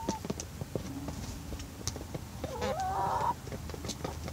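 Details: Australorp and Barred Rock hens at evening feeding on moistened feed, seeming content: quick irregular pecking taps, then one longer rising, wavering hen call late on, followed by more pecking.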